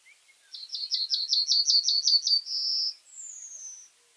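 A common reed bunting sings a quick run of about ten bright, clipped notes, then a short buzzy trill, and ends on a thin, high drawn-out note.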